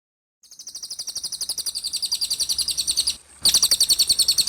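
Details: Cililin tutor recording, used as masteran to teach young birds such as Asian pied starlings and magpie-robins: a clear, fast series of high chirps, about three to four per second, gradually louder, with a brief break before a stronger burst.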